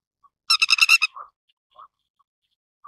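Grey-headed Lapwing: a quick burst of about six harsh, ringing notes in half a second, then a few faint, soft notes trailing off in the quiet.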